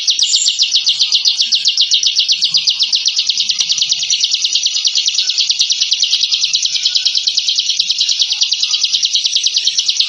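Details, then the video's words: 1 "Suara Masteran Burung Ciblek Ngebren & Rapat Abis"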